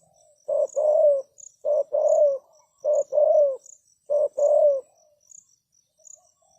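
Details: Spotted dove acting as a decoy for trapping wild doves: four evenly spaced pairs of raspy coos, each a brief note leading into a longer descending coo, then quiet, over a faint steady high insect ticking.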